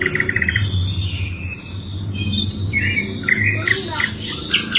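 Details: Asian brown flycatcher giving a high, varied song of short whistled phrases and quick chirping slurs, some falling and some rising, over a steady low hum.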